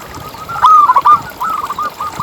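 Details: Zebra dove, a lively local singer whose voice lures other zebra doves to sing: one loud rolling coo of quick wavering notes, followed by a softer trilled echo.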